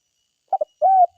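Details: Spotted dove of the forest: two short, soft hooted notes followed by a longer, even, mellow coo, in otherwise quiet surroundings.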